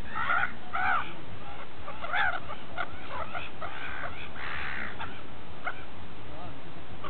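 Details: Gulls feeding at Repino near St. Petersburg, several loud nasal cries in the opening seconds, then fainter scattered squawks from the flock fading into steady low background noise.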